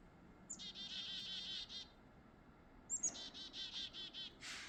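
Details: Chickadees, a pair, on a mild winter morning under thick fog: two runs of a sharp high opening note followed by a string of buzzy, rasping 'dee' notes, with a soft background hum.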